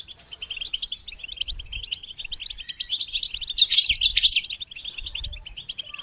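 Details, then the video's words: Goldfinch song used to stimulate songbirds. A steady, rapid, jingling twitter at about 133 notes a minute, with a louder, harsher flourish just past the middle. "integrated stimulation suitable for all songbirds for goldfinches"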